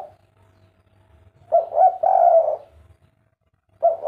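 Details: Spotted dove (derkuku) giving a kuk 3 phrase: two quick coos leading into one long, loud, slightly wavering coo, quiet background, then another phrase begins at the end.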